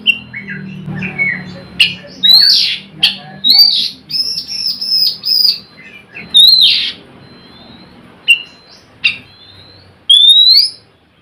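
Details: Oriental magpie-robin lure recording used to draw song from other magpie-robins; varied phrases of rising whistles, harsh buzzy notes and sharp clicks, spaced by brief pauses, with a low hum underneath.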